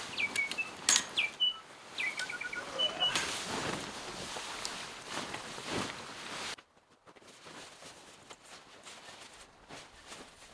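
A New Zealand bellbird gives a few clear, ringing whistled notes, some slurred downward, over about three seconds before rushing wind-like noise and handling sounds take over.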